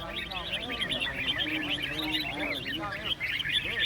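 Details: Competition Red-whiskered bulbuls at a songbird contest chatter in a busy stream of bright, bubbling whistled phrases, several birds overlapping, while a man speaks underneath.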